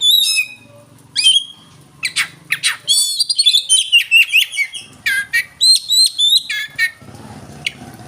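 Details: Oriental magpie-robin singing: loud whistled and squawky phrases with sharp upward sweeps, dense bursts of varied notes between pauses, with a faint low hum underneath.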